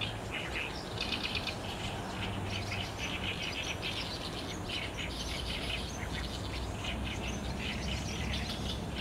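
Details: Barn swallows massing at the roost on a cloudy 30 June 2019, recorded by digital SLR camera: loud, dense chatter of countless short, high chirps in rapid overlapping bursts, carried over a low droning background.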